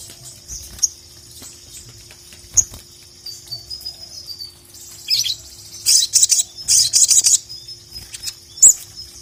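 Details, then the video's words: Ruby-cheeked sunbird, a kept songbird, calling a rival; sparse high ticks, then a short thin trill and bunched bursts of fast, sharp, very high chips, ending with one lone tick. "KICAU SOGON GACOR MEMANGGIL LAWAN"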